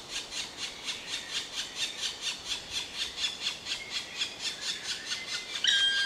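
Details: Evenly repeated scratchy calls from a black woodpecker, around two per second, ending in a sudden louder clear whistled note.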